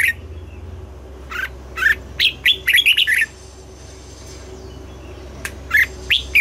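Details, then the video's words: Red-whiskered bulbul singing in the morning, double-note mature wild-bird style: two spaced chirps building into a fast run of bright rising and falling slurred notes, a long silence, then three more sharp upslurred notes over a faint hum. "Luyện giọng cho chào mào hót sáng, ép chào mào hót âm kép già rừng hay tuyệt!"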